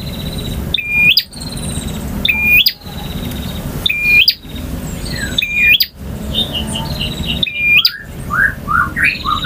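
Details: Male bar-winged prinia giving ngotot, ngalun and kristal song variations: high metallic trills, each closing with a quick upward whistle, repeated every one to two seconds, then a run of short descending chirps at the end.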